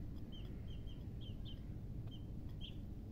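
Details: Chirping baby chicks give a run of short, high peeps roughly every quarter second, some slightly rising, others falling, against constant low-pitched background noise.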